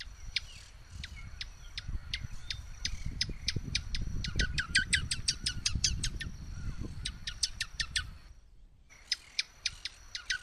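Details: Swallow-tailed hummingbird delivering an accelerating rattle of sharp, high chips that speeds into a dense twittering burst, breaks off briefly, then resumes with spaced ticks, over steady low rumble.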